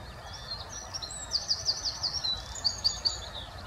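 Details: Scandinavian rock pipit (race littoralis) on a wet scrape at Nightingale Ponds on the morning of 16 May 2024, between showers, gives thin, high, sharp notes: a quick run of about five chips, then a second short burst, over soft hiss.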